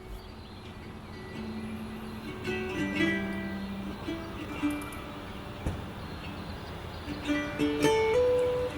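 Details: Gentle plucked guitar or ukulele music plays over a soft hiss, with no animal calls heard.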